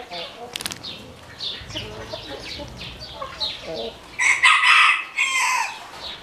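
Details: Black Orpington chickens: thin, high, downward-sliding peeps repeated rapidly and unevenly, several overlapping, then from about four seconds two loud, harsh, broadband bursts of squawking or flapping.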